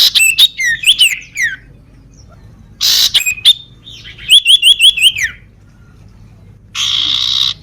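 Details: Sooty-headed bulbul, called sirtu or cipow, with a lame foot, singing busily: quick bright chirps, a rapid run of five repeated whistled notes, then a steady loud buzzing drone near the end.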